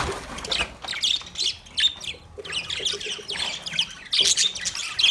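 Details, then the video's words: Several caged budgies chatter with short squeaky chirps and harsh warbled notes, rising and falling in loudness without a steady rhythm. "Beautiful Budgies sound Budgie chirping sound in master Cage"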